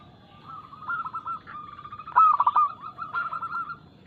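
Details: Local zebra dove singing quickly and loudly with a clear tone, a lure to set other doves singing; rippling coos build into one loud trilled burst, followed by further evenly spaced rolling notes.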